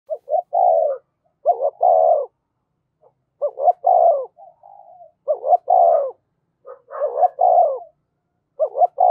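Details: Spotted dove used as a decoy bird, cooing readily, in the style locally called giọng thổ: low, mellow phrases of two short hooting notes followed by a longer drawn-out falling coo, repeated about every two seconds with a few soft trailing notes.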